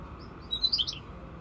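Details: Five-month-old European goldfinch mule (hybrid) giving a brief burst of high, twittering chirps lasting under half a second, over a steady low background hum.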